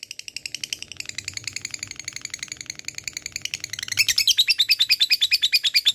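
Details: Lovebird giving a long ngekek chatter, said to readily provoke rival birds into calling: a fast, steady run of harsh, buzzy notes, about three per second, growing louder and higher near the end.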